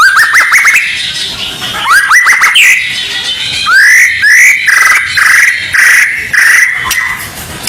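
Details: Training song of a white-rumped shama, played before a contest: quick rising notes, then a slower series of loud rich upslurred whistles repeated about every half second with harmonics.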